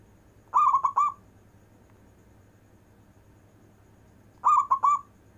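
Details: Local zebra dove, described as an excellent long-breath singer for encouraging lazy doves: two brief rolling coo phrases of three or four bubbling notes, several seconds apart, against a quiet background.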